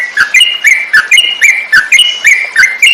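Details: Tutor song of a yellow-vented bulbul (trucukan) for training songbirds: steady chain of short chirpy whistles that step up and down, roughly three notes a second, with faint dry ticks in the background.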